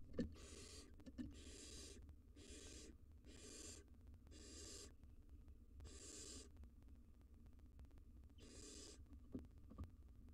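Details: Three wild barn owl nestlings at the entrance of a monitored nest box: repeated harsh, breathy hisses about half a second long, coming roughly once a second with some gaps, over a low steady hum and occasional clicks.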